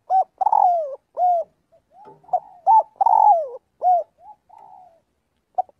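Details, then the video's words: Flock-calling spotted dove, training its voice daily, repeats its hollow cooing phrase about every two and a half seconds: clipped opening notes, a long falling slur, a rounded coo, then faint trailing notes. "tiếng chim cu gáy gọi/chim cu gáy gọi bầy luyện giọng mỗi ngày"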